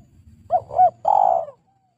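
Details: Spotted dove cooing, recorded as a lure call for attracting and training doves: a short, low, hollow double note followed by a longer, steady, mellow coo, with no other sounds.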